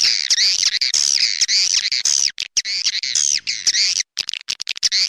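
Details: Original "clop tanjung" swiftlet calling sound for swiftlet farmers: a steady stream of high twittering chirps in looping, wavering phrases, with brief gaps near the end.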